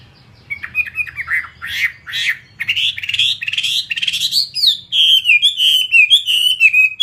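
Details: Vietnamese fighting-type Chinese hwamei opens with rough, squawky bursts, then shifts into a rolling series of fluid whistled slurs that step downward, about one and a half per second.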